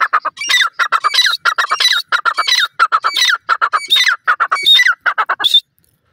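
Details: Irani teetar partridges fighting in cages: a dense, almost nonstop stream of harsh, squawking notes with rising and falling inflections, tumbling over one another for over five seconds.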